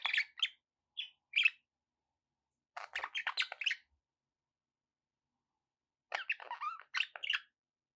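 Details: Pet budgerigars produce short clipped chirps, then a tight cluster of scratchy warbled notes, a silence, and another chattering burst of squeaky calls.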